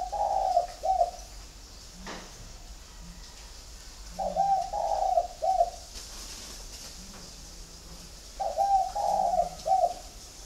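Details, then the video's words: Spotted doves from a flock kept at a dove farm in Ba Vì, Hanoi, Vietnam: low cooing phrases of several notes, repeated about every four seconds, with steady background hiss. "CHIM CU GAY"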